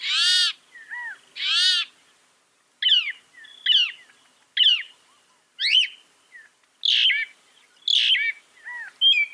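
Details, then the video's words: A northern mockingbird, a mimic said to copy 200 sounds, sings a varied string of borrowed notes: two harsh, nasal squawks, then quick, sharp, slurred chirps, each phrase changing, with no other sounds. "Masteran suara burung NORTHERN MOCKINGBIRE bisa merekam 200 suara"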